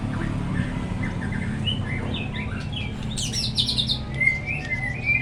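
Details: White-rumped shama song used as a lure to stimulate other shamas to sing diligently: varied whistled and warbled phrases, some rising, with a brief burst of rapid higher notes midway, over a steady low rumble.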